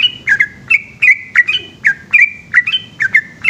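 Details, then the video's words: After dark a yellow-vented bulbul keeps up its long, rapid 'ropel' song: a steady string of bubbly, slurred chirps, each snapping sharply at its start. "burung trucukan gacor ropel panjang dimalam hari"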